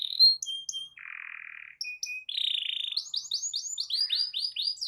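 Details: Canary song used to provoke other canaries into singing: scattered high chips and a flat raspy buzz, then a run of loud looping downward-sweeping notes repeated several times a second.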